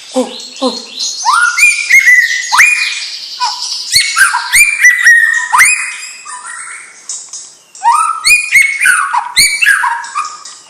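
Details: White-rumped shama, a young bird of champion line, delivering a rich, varied song: rapid strings of bright whistled phrases, many rising and then held, mixed with sharp ticks and some lower notes, almost without pause.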